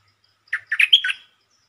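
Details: One quick red-whiskered bulbul phrase: four or five cheerful, slurred whistled notes run together in under a second, the last drawn out a little, with a clean, quiet background.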